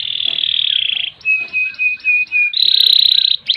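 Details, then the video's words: Canary in long ngerek and ngerol style song for master training: a high buzzy rolling trill, then five short flat whistled notes, then the buzzy trill returns. "Kenari Gacor Panjang Ngerek Ngerol Nembak"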